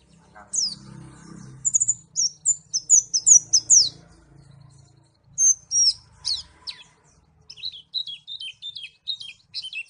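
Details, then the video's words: White-eye (pleci) from Malang singing a rapid run of high, thin chirps and downslurred twitters, a pause, then a quicker series of short clipped notes near the end; faint low hum underneath. "pleci Malang suara mantap"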